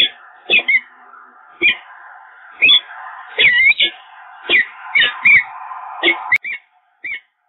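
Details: A pair of peregrine falcons meeting briefly at their nest at the Evoluon in Eindhoven, Netherlands, on 13 February 2023, before the male flew off; harsh, wailing calls repeat about every half second to second over a steady electrical hum.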